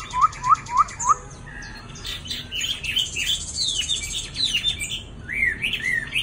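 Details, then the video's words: Caged male Chinese hwamei, close to two moulting seasons, opening with four quick rising whistles, then a tumbling run of high buzzy and slurred notes, ending in arched whistles. "Hoạ mi cb09d gần 2 mùa"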